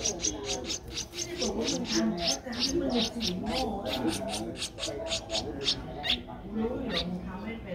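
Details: Young streak-eared bulbul, 12 days old, its eyes open since day seven, recorded in Ubon Ratchathani, Thailand, on 14 April 2023: a rapid, steady run of short high squeaks, several per second, over low murmuring background noise.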